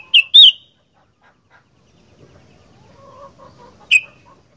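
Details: Sooty-headed bulbul, 'gacor fighter' style: a loud quick double chirp, a near-silent pause with faint twittering, then one more sharp note.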